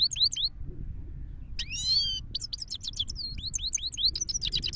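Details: A Himalayan goldfinch in Parachinar sings a fast, tinkling run of high twittering notes, rising and falling swiftly, with a short pause before a burst of rolling chatter.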